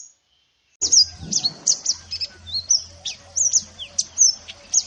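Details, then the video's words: Wild mountain white-eye singing in nature, used as a master song to train other birds. After a brief silence, rapid, thin, very high whistled notes slide and chirp about twice a second for four seconds, with faint low hum beneath. "MASTERAN SPESIAL MANTENAN GUNUNG ASLI ALAM COCOK UNTUK MERAPATKAN ISIAN BURUNG ANDA"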